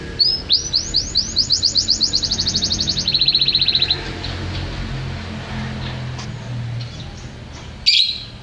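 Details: Champion canary delivers a fast rhythmic trill of rising notes, about a dozen per second-long stretch, shifting into a quicker lower rattle, then a pause and one loud burst near the end.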